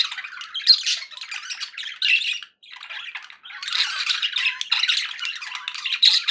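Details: Pet budgerigars, offered as company for other caged budgies, chattering in a dense run of scratchy warbles and squawks that rise and fall without pause, with one short gap partway through.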